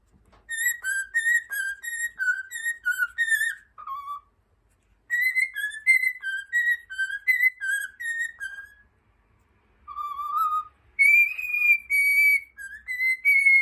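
A cockatiel whistles a learned tune in clear, pure notes around mid-high pitch, phrased in short runs with pauses, the melody of Over the Rainbow.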